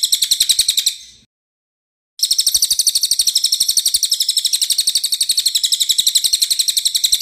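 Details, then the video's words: Pygmy Bushtit (cililin) chattering in a fast, steady stream of high, thin chirps, about four a second, broken by one brief silence; a clear-voiced recording used as training song for songbirds. "Cililin gacor suara jernih"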